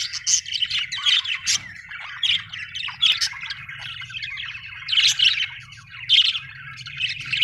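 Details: Cheerful budgerigars chattering: loud squeaky chirps rising out of continuous scratchy warbling roughly every second, over a steady low hum.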